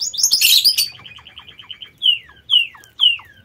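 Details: Lovebirds kept in an aviary: a burst of harsh, shrill screechy chatter, then a quick train of buzzy ticking notes and three loud whistled calls sliding sharply downward, spaced about half a second apart.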